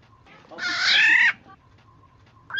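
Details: Black-naped Oriole used as a lure to get other orioles calling, giving one drawn-out rasping, nasal squawk lasting under a second, followed by quiet with a faint steady hum and the start of another note at the end.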